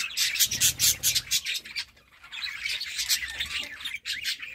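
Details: Budgerigars in a colony: dense high chirping and squawking chatter from many birds at once, continuous with brief lulls.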